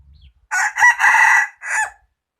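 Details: Cockerel giving one loud crow after faint low murmuring at the start: short first note, rising second, long strained held third, then a separate trailing last note.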